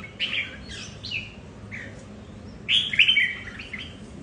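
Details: Pet red-whiskered bulbuls at home contesting territory, each with a different temperament: clear slurred whistled notes, then a pause, then a loud rich warbled phrase of falling and wavering notes.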